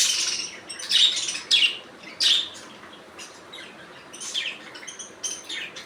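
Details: Budgerigars producing several strong buzzy chirps early on, with downward-sweeping notes, then fading into quieter, irregular twittering.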